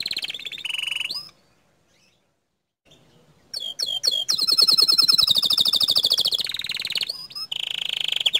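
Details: Green canary singing a buzzy trill, pausing, then sharp whistled notes leading into a long rapid trill and a final steady low-pitched roll.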